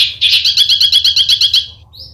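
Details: A single quick besetan burst: about a dozen sharp, high notes in a fast, even trill, fading out, over a faint low hum.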